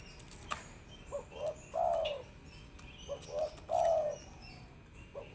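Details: A tekukur, spotted dove, gives soft low coos: two brief rising notes, then a drawn-out falling coo, repeated twice over a hissy background with faint clicks.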